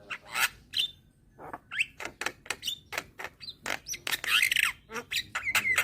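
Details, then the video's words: Young Javan myna with white eyes calling diligently to attract hybrid mynas while nodding. It gives a busy mix of clicks, harsh rasps and short whistles, ending with a wavering whistled phrase. "Jalak Kebo Mata Putih Masih Muda Sudah Rajin Bunyi Manggut2 Untuk Mancing Burung Jalak Hybrid"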